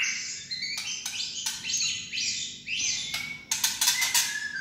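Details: White-rumped shama kretekan, a rattling song used to stir other shamas into lively singing: sweeping whistled phrases around mid pitch broken by sharp dry clicking rattle bursts, the rattles clustering fast near the end.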